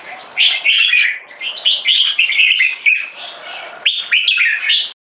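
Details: Young caged red-whiskered bulbul with early spotting, standing in a C-shaped aggression stance. Quick musical whistles and chirps run in linked phrases, with a brief lull near 3.5 seconds before a final burst.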